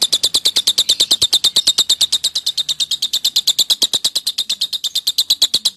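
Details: Lovebird giving a masteran ngekek song, meant to provoke rivals into singing: a long, unbroken chatter of rapid, shrill, buzzy notes repeated about three times per second, steady and high-pitched throughout.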